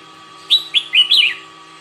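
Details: Red-whiskered bulbul singing during a morning singing-practice session: one short, quick phrase of four bright, warbled whistled notes, some sliding up and down, over a faint steady electrical hum.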